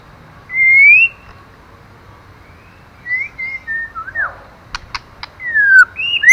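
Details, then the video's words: Female white-rumped shama calling to excite a male: a strong rising whistle, then scattered short whistled slurs and a downward swoop, a few sharp clicks, and a final run of rising whistles. "Choè lửa mái kích trống hay nhất"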